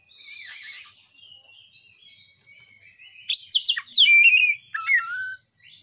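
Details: Oriental magpie-robin (kacer) lure song, intended to raise passion and mating drive in captive birds, phone-recorded; opening hiss, soft warbling, then loud quick sweeping whistles, a held note and a falling whistled phrase.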